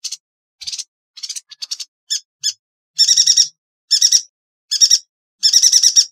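Yuhina giving sharp, high chattering bursts, at first quick chips, then longer buzzy trills of rapid notes every second or so; no other sounds.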